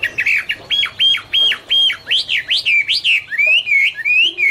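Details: Chinese hwamei (Garrulax canorus) singing in autumn: loud whistled phrases, first a run of five flat-topped notes, then rising and falling slurred whistles in quick succession, clear and rich.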